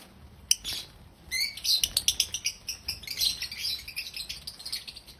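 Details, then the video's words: African lovebirds chirping happily and loudly: a sharp opening chirp, then a steady run of quick, high, scratchy chirps and chatter repeated several times a second, with a constant faint high hiss behind. "African Love birds sounds loud🐦Love birds chirping sounds🐤Happy Love Birds sounds"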